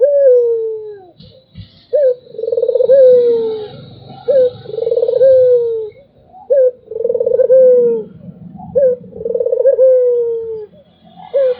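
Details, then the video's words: Repeated anggungan coos of a Barbary dove, each a quavering roll that ends in a sliding, falling note, alternating with brief clipped coos. A low rumble and faint hiss run underneath. "SUARA ANGGUNGAN BURUNG PUTER"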